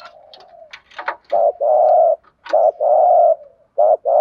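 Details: Spotted dove cooing, a call used to lure wild birds: low hollow coos in a phrase, short wavering notes followed by long steady drawn-out hoots, repeated twice.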